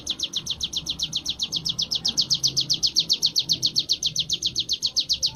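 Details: Sunda warbler, locally mountain ciblek, in ngebren-style training song: rapid high-pitched chirps repeated steadily at about four per second throughout, sharp and clear over a quiet low rumble.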